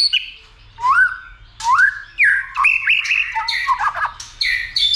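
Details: White-rumped shama urged into fighting song: upswept whistles followed by scratchy, squeaky mixed phrases, delivered in loud bursts about a second apart.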